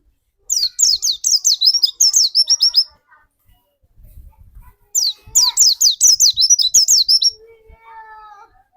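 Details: White-eye lure song meant to set off another white-eye's singing: two dense bursts of fast, high, sharply slurred chirps, with soft low rumbling between them and a few lower whistled tones after the second burst.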